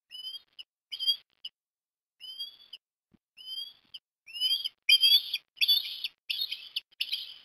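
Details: Osprey feeding a chick fish at breakfast, Port Lincoln, Australia, 17 December 2021; short upslurred whistles start sparse and soft, then build into faster, louder chirping.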